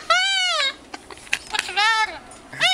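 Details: Friendly cockatoo in a garden in Key West mimicking speech with drawn-out, squawky, harmonic phrases that rise and fall, separated by soft clicks, while a person talks to it nearby.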